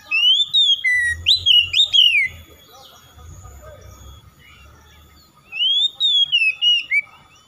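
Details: Kacer (oriental magpie-robin) song aimed at making a lazy bird answer and sing: rapid sweet whistled notes rising and falling, a few seconds of quiet with a low hum, then another whistled phrase.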